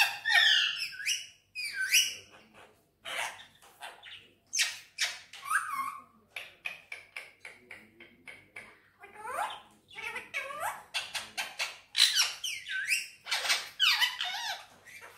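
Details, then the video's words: Green Indian ringneck parrot talking in Urdu/Hindi and whistling: a rapid run of short chattering, speech-like bursts and sharp whistled notes with brief pauses between them, recorded close up. "Indian Ringneck Parrot Talking And Whistling"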